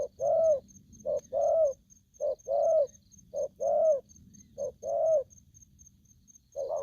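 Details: An aggressive spotted dove calls in a repeated rhythm of a short coo then a longer throaty croo with a slight upward inflection, about once a second. A faint steady high-pitched tick runs in the background.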